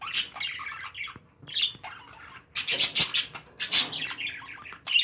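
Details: Harsh, grating squawks from pet parakeets come in clustered bursts, mixed with fast twittering and a thin high whistle near the end.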